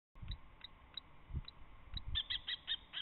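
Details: Common kestrels fighting at a nest box on March 27 as a newcomer tries to push the resident female out: sharp, high notes spaced about every third of a second, then a quicker, harsher chatter, over low thumps and scuffling.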